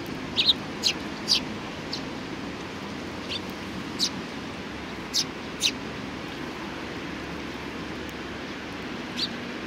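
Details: Sparrows at Tenmangu shrine, 4 July 2019, with scattered thin high chirps, a few in close pairs, set against a steady broadband background hiss.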